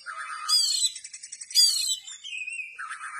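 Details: Oriental magpie-robin singing with its tail spread, a short stretch of loud bright notes: a low warbled phrase, two harsh high bursts with fluttering trills, then a clear falling whistle.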